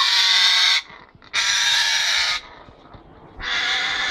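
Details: A breeding pair of Congo African grey parrots gives three harsh, raspy screeches, each under a second long, separated by short pauses.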